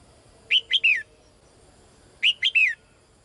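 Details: Female bird calling to the male in two matching phrases of three slurred, whistled notes, each note dropping in pitch, the phrases about one and a half seconds apart.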